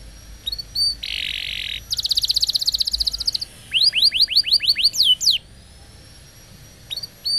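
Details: Lure song of a canary to prompt non-singing or young canaries: scattered high chips, a buzzy harsh burst, a quick rattling trill, then about eight rising swept whistles in a row before quiet and a few thin chips.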